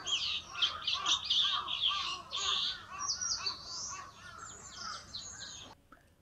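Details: Chestnut-cheeked starlings, summer visitors to Japan, chatter in a dense, noisy stream of high, squeaky 'kyuru kyuru' notes, louder and higher than the White-cheeked Starling's. Several voices overlap before stopping abruptly near the end.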